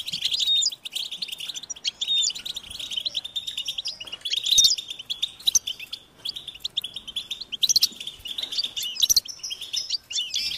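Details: European goldfinch chicks call to be fed with a high, insistent stream of tinkling chirps and short whistles, punctuated by louder bursts about every two to three seconds.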